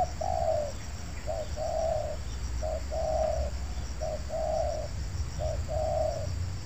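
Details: Spotted dove cooing in an oil palm plantation during a bird-luring session: soft, low hollow coos in repeated phrases, short notes alternating with longer drawn ones, over steady low background hum.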